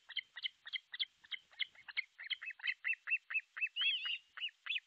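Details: Osprey calling at its artificial nest in Pohjois Satakunta, Finland, 6 July 2023, midday: quick run of clipped, high whistled notes, some doubled, ending in a drawn-out slurred whistle and further sharp chirps.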